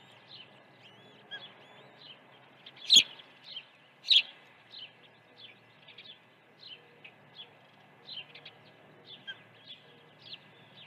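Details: Ospreys at the nest during an early feeding at Dunrovin Ranch, 1 June 2019, around 08:24; a steady run of short, high chirps, about fifty a minute, with two louder sharp calls near the start over faint background noise.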